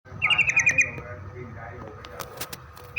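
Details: Yellow-vented bulbul singing as a lure to draw answers from other bulbuls: a quick burst of rapid, buzzy pulsed notes early on, then fading into faint scattered chirps over low background rumble.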